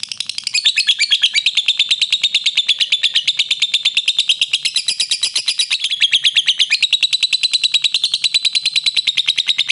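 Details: Long ngekek trill of a lovebird, recorded as a clear master track for training birds; fast, even, buzzy chattering notes repeat nearly three times a second, with slight shifts in pitch along the unbroken run.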